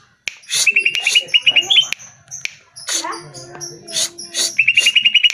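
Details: Lure song of the greater green leafbird for getting caged birds to respond and sing: rapid series of short bright whistles at the start and end, broken by harsh raspy bursts and a low steady tone in the middle.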